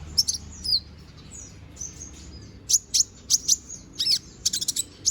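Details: Young konin bird in feather growth, singing energetically for song training: scattered high thin whistles and slurred notes, then a burst of loud sharp clicks and chirps toward the end, quiet background.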